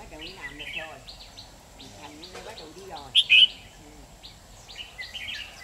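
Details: Red-whiskered bulbul recorded during a trapping session with a decoy bird on 13 October 2019: sharp chirps and short warbled phrases repeat through the clip, with one loud burst near the middle, over men talking and outdoor background noise.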